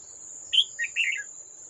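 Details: Wild adult red-whiskered bulbul challenging a caged decoy at a trap, 18 July 2024: a sharp high note, then a quick warbled phrase of mid-pitched chirps falling at the end, with a constant shrill insect hum behind.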